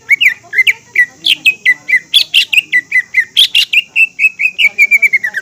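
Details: Lure song of a green leafbird, meant to make young and speckled birds sing and get worked up: a steady stream of quick, high chirps and slurred whistles, ending in a descending series of repeated notes.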